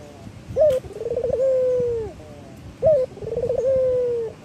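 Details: Male local puter dove (Barbary dove) singing to stimulate other doves to call: a short sharp note, then a rapid quavering trill sliding into a long steady low coo, the phrase given twice.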